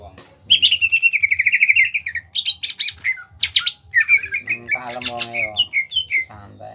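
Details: Small-bodied greater green leafbird from Kalimantan, kept as a cage bird, singing in the busy 'gacor ngentrok' style: a long wavering whistle, then sharp rising notes and a buzzy, harsh chattering burst. A low pulsing hum sits beneath.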